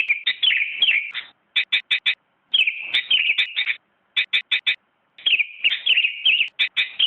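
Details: Song of a Sooty-headed bulbul, 2017 contest champion: runs of rapid bubbly warbling alternate with groups of four quick, sharp clipped notes, separated by brief silences, no other sounds.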